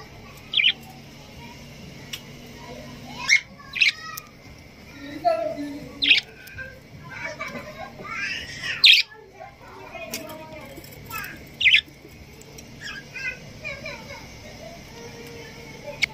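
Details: A pair of Budgerigars, male and female, give short, bright chirps and squeaky warbles at irregular intervals.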